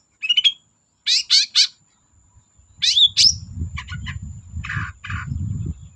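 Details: Long-tailed shrike in active song to coax silent shrikes: three quick harsh notes, then a trio of raspy, scratchy bursts, later more grating chatter accompanied by low rumbling noise.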